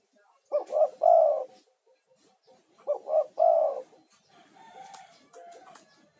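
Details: Male spotted dove calling eagerly, a lure call said to attract wild doves and ease stressed caged birds; two phrases of two short coos and a longer one, then a softer distant coo.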